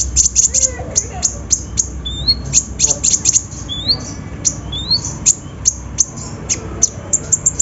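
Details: Sunbird song played as a lure to get reluctant birds singing: sharp high chips in quick series, interrupted by several short rising whistled slurs, over a low steady background hum.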